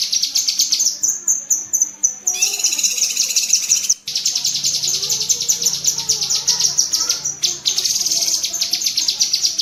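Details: Rapid high chattering of a cucak kinoi bulbul, meant as master audio for tutoring pet birds; continuous shrill ticking trills with brief breaks around the second and fourth seconds.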